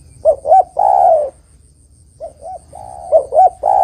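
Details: Spotted dove calling to lure other doves for trapping, with two phrases of paired short coos, each closed by a long steady coo and separated by a brief pause.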